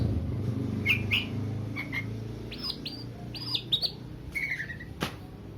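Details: Oriental magpie-robin song meant to provoke and raise aggression in a less combative bird; scattered short whistled and chirping notes, some quick rising sweeps and a slurred trill, over a steady low hum.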